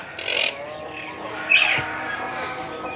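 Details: Monk parakeet chicks at feeding time, giving two loud harsh rasping squawks about a second apart, followed by fainter chirps over a steady hum.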